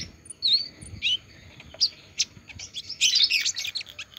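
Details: High, thin song of an olive-backed sunbird that has just come out of its moult: spaced sharp chips and short wavering whistles, building into a dense twittering burst near the close.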